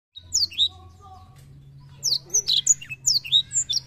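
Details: Black-throated canary in continuous song, used to stimulate young birds to sing. A quiet start with a few soft notes, then a fast run of high, sharp whistled slurs and chirps from two seconds on. A low steady hum underneath.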